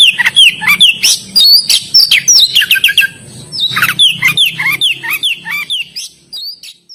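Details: Oriental magpie-robin, known locally as kacer, in full vigorous song: loud, varied bursts of rich whistles, sharp upslurred and downslurred notes and rapid chattering phrases, with brief pauses between outbursts.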